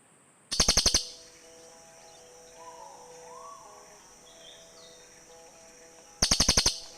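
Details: Cililin birds calling to one another, sound used to lure birds in the forest: two brief rattles of about six quick, sharp chirps, some five seconds apart, with faint other bird sounds between.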